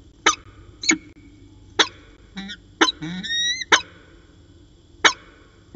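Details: Peregrine falcons at Orange on 13 January 2019, a pair exchanging calls in the afternoon: sharp, rasping single notes spaced about a second apart, interrupted midway by a softer rippling chatter and a thin, whining, rising wail.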